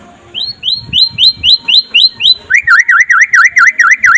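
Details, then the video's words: White-rumped shama (murai pastol, trotol style) singing by day, used as a master recording to prompt other shamas to sing: a string of quick upslurred whistles, then a rapid run of buzzy V-shaped notes, about two per second. "SUARA KICAUAN BURUNG MURAI PASTOL DINLAGI HARI AGAR CEPAT GACOR"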